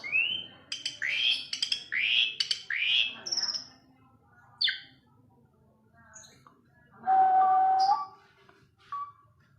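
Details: Varied Asian pied starling singing: several loud upward-sweeping whistled notes, a few sharp clicks, then a sustained steady whistle and scattered short high notes with quiet gaps.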